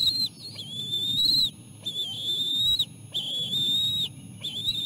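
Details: Bald eagle chicks being fed seal placenta by their mother after a lean day, the youngest gobbling most of it; clear, high whistles held about a second each, repeated roughly every second over a low background hum.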